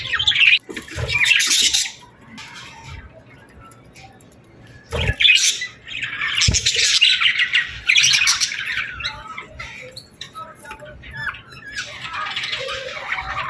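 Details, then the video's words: Summer evening birds at sunset: loud bursts of harsh, squawky chirping alternate with quieter gaps, and flurries of twittering return every few seconds, with a couple of sharp low knocks. "Evening Birds Chirping Sounds Effect | Summer Birds Singing at Sunset"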